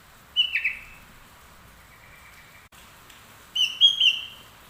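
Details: Sooty-headed bulbul in full song carrying straw-headed bulbul (trucuk) phrases. Two short warbled bursts, the first a whistled note dropping sharply and the second a quick rippling phrase with a thin higher tone above, separated by a faint drawn-out whistle.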